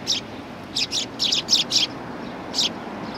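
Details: At a Tenmangu shrine on 18 September 2020, sparrows greet an arriving visitor with a chirp, then a burst of six rapid high chirps and one more after a gap, over faint ambient noise.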